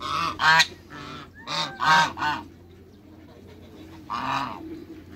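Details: Backyard pair of African geese with other waterbirds honking, several short brassy blasts close together, then a quiet gap and one more harsh honk; faint low hum in the background.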